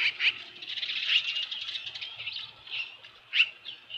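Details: Osprey at the Dunrovin Ranch nest on a July 2018 evening with a large headless fish: steady stream of high, slightly squeaky chirps with brief sharper peaks.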